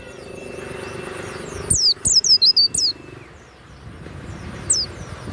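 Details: Kept warbling white-eye, Banyuwangi variety, valued for loud 'ngeplong' song; one brief burst of five or six shrill, high curling whistles, later a single lone note over faint background rumble.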